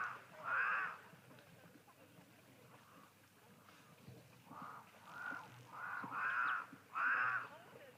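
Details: A Cape crow in open country with wildebeest, springbok and zebra nearby, 31 March 2023, gives ominous, harsh, drawn-out caws: one early, then a run of four close together near the end, over a low background hum.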